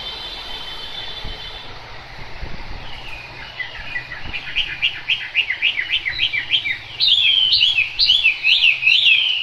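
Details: Chinese hwamei singing in the rain; after a quiet, hissy start, loud whistled phrases build from about three seconds, rapid rising-falling notes repeated about four per second, growing louder and higher near the end.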